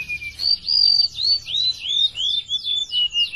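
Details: Tame golden-bellied gerygone in full song: a thin whistled note, then a run of high, sweet downslurred whistles repeated in quick series, each sliding slightly lower.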